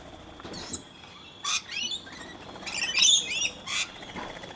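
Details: Rainbow lorikeets being hand-fed in Brisbane, Australia, with one scaly-breasted lorikeet among them: harsh, high screeches in short irregular bursts, several overlapping, with quiet gaps between.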